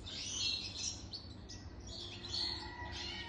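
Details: European goldfinch over three years old singing: scattered twittering, tinkling high notes in short bursts over a steady low hum.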